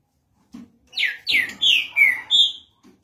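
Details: A caged Green-winged Saltator (trinca-ferro) opening its song nicely: a soft low note, then a quick run of five loud, rich whistles, each sliding downward, in an otherwise quiet setting.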